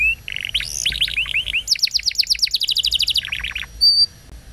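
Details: Canary song used as a lure to get young or silent canaries singing, a fast, bright run of varied whistles and rapid repeated trills, rising and falling in quick phrases, with a short high note at the end.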